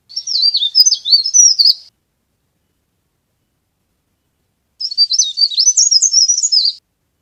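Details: Leaf warbler, a sound used as a trapping lure: two bursts of high, rapid, twisting chirps, each about two seconds long, separated by a three-second silence. No other sounds.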